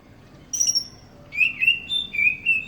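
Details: Greater green leafbird from East Java, Banyuwangi, billed as a village champion songster: a thin high note, then a run of clear slurred whistles that rise and fall in four or five short phrases, over a quiet background.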